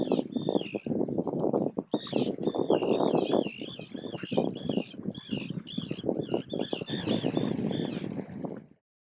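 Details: Wild gull parents guarding swimming chicks, recorded from an island about 15-20 metres away; quick wavering yelps chain into a fast laughing series over loud low rumble, ending abruptly.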